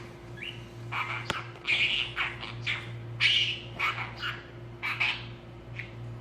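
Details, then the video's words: Male talking budgerigar chattering indoors: a run of short scratchy, warbling bursts every half second or so, mixing chirps and speech-like syllables, over a steady electrical hum. "ببغاء بادجي متكلم Talking parrot"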